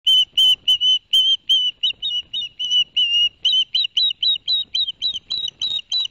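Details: Ospreys at a nest in Barnegat Light, New Jersey, 11 September 2021, as the adult male delivers two fish to the young and then bathes: rapid series of clear, high whistled chirps, some slurred, running steadily throughout.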